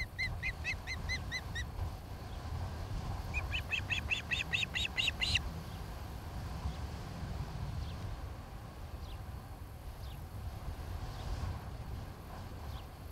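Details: Osprey at a nest in Charlo, Montana, on 26 July 2018 in the late afternoon (17:00–18:00), one of a nesting pair, gives two bursts of about six then eight sharp, quick, slightly rising whistled chirps over low wind rumble.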